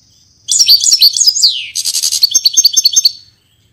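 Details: Singing European goldfinch, Portuguese type, delivering one brisk phrase of high twittering notes, a sliding downward slur, then a rhythmic buzzy rattle of repeated notes fading out.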